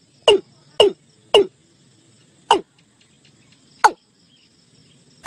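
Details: Watercock, known locally as cúm núm or gà đồng, calling the flock into a net: loud, sharp descending notes given in an uneven series, three in quick succession, then spaced single notes, over a faint low hum.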